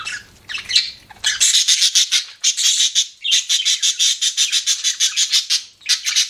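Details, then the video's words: Budgie chattering in a fast series of harsh, clipped squawks, roughly four or five per second, after a softer opening trill; steady and insistent, with no other sounds. "BUDGIE CHIRPING SOUNDS"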